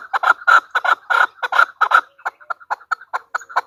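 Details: Clucking calls of a female chukar partridge, loud paired chuk notes in quick succession for two seconds, then lighter, quicker single notes trailing off.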